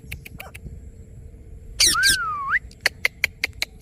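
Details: Ringneck parrot giving a harsh double screech that runs into a drawn-out tonal whistle, falling then sharply rising. Evenly spaced soft clicking notes come before and after.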